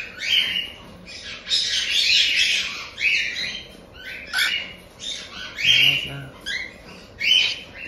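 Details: About one month old, captive-bred cockatiel chicks in Tokachi, Hokkaido, Japan, begging with grating, hoarse squawks repeated in uneven bursts, some long and noisy, others short and rising; a faint voice briefly in the background.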